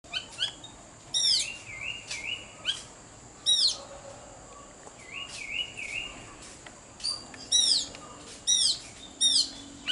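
A robin sings high, thin, varied phrases of quick wavering trills and sharp downslurred notes, given in bursts every second or so, over a faint steady hiss.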